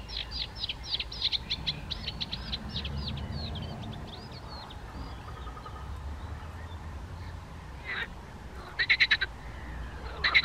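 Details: Young Eurasian penduline tits (Remiz pendulinus) foraging on the bank of a castle pond in Chropyně on 3 July 2019 give a quick run of thin, high chirps, a faint whistle and sharp bursts over a low steady rumble.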